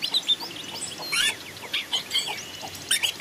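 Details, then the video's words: Long-tailed shrike singing in a forest, used as a decoy and master recording: scattered high chirps and short slurred whistles, with a brief buzzy burst near the middle and bright repeated notes toward the end. "masteran burung cendet || the sound of a decoy bird in the forest"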